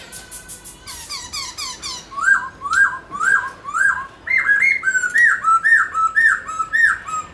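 A White-browed laughingthrush sings a run of loud, clear whistled notes that swoop up and fall back, about two a second, after a brief burst of higher chattering whistles.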